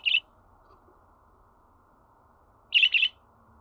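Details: A single sharp budgerigar chirp, then a pause of over two seconds before a quick double chirp, over a low steady hum.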